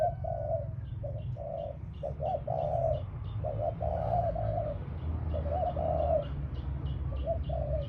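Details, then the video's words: Decoy spotted dove on the ground cooing steadily in hollow phrases, while a small bird repeats short high chirps throughout and low background rumble persists. "Cu gáy mồi đất"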